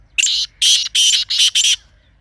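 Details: Partridge giving one rapid phrase of five harsh, buzzy, high notes, the first slightly rising, delivered in just over a second against quiet background hum.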